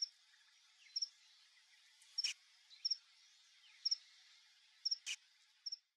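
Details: High, thin paired call notes from a male Burnished-buff Tanager come to papaya bait in a yard, spaced about a second apart, with a constant background insect hiss and a couple of brief knocks.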